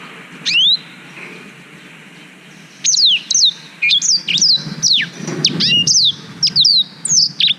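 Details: Black-throated canary singing, recorded on a GoPro Hero 5 as a master song for training young canaries: after two seconds of quiet, a quick run of high, sharp, down-slurred whistles and twittering notes in rapid bursts.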